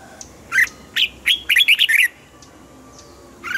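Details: Red-whiskered bulbul kept in a cage, singing to rouse other caged birds: a run of loud, quick chirped syllables at varied pitch packed into about a second and a half, with faint hiss behind.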